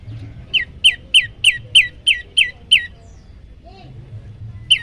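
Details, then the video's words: Yellow-bellied prinia song for training other birds to sing: a rapid series of eight sharp chipping whistles at a steady beat, then a pause with faint background hum, and one final note. "masteran burung prenjak lumut bikin emosi burung yang dengar"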